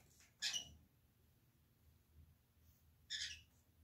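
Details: Indoor Senegal parrots, ten birds sharing a converted office; two short, rough calls about two and a half seconds apart, over low room hum.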